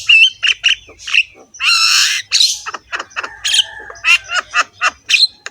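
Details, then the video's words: Jalak kebo, the Javan myna, singing loudly and roughly while nodding its head: a long buzzy rasp in the middle, framed by quick squawks and chattering notes with a few clear whistled tones. "BURUNG JALAK KEBO GACOR SUARA KASAR, MANGGUT-MANGGUT FULL ISIAN MEWAH"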